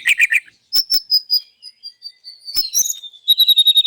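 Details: Loud morning song of a white-rumped shama showing its imitations: buzzy chattering notes, clicks, a long high whistle slowly descending, then a rapid even trill.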